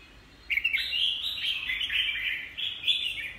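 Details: Caged red-whiskered bulbul gives a short burst of loud, bubbling warbled song, slurred notes tumbling together for about three seconds.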